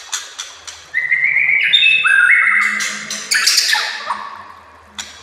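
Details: Training master song of a white-rumped shama: a couple of sharp chips, then sustained clear whistles stepping up and down, ending in a rapid twittering flourish.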